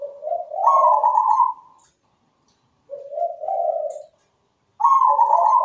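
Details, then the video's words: Zebra dove singing with good rhythm: three cooing phrases, each low notes lifting into a clear higher coo or a lower bubbling run, separated by short silences. "PERKUTUT GACOR SUARA MERDU"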